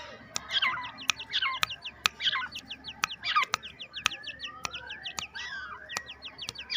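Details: Two-month-old black francolin chicks, happy at being let out into a home aviary, give rapid series of high, thin, downward-slurred chirps in overlapping bursts, with a few longer rising whistles and sharp clicks.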